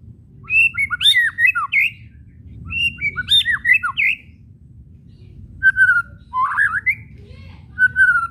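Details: White-rumped shama kretekan whistles and chatter for provoking shamas into song: repeated bursts of quick varied whistled phrases with dipping and rising notes, separated by short silences.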